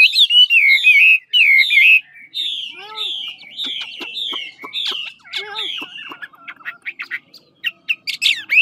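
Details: Chinese hwamei of the 'ngũ trường' type from Lạng Sơn, Vietnam, a big, handsome bird giving supple competitive song: loud, clear whistled phrases that slide downward and repeat in quick succession, then shift to sharper rapid chips and short trills.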